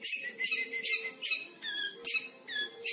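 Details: A five-month-old long-tailed shrike is learning to mimic lovebird and canary. It gives shrill, squeaky chattering bursts about every half second, mixing high chirps with falling whistled notes, over a faint low hum.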